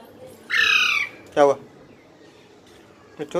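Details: Baby parrot calling: a harsh, buzzy squawk about half a second long, then a shorter descending rasp, and a final rising squawk at the end, over a faint room hum.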